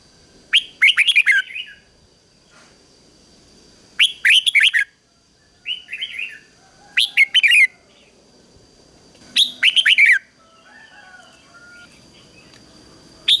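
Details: Red-whiskered bulbul used as a decoy to call wild birds, repeating short bursts of sharp, slurred whistles roughly every three seconds, five phrases in all, with a faint steady high hum.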